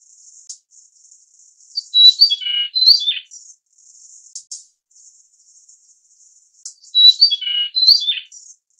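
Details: Grey-cheeked fulvetta of the Taiwan endemic subspecies Alcippe morrisonia morrisonia, giving two clear whistled phrases of several sliding notes, wavering downward, about five seconds apart, over a steady thin high buzzing in the background.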